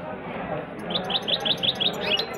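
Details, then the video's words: Goldfinch singing and rolling: a series of about seven quick, sharp, high chirps in even succession ending in a slurred note, with murmuring voices underneath. "goldfinch is very Nicely rolling and singing"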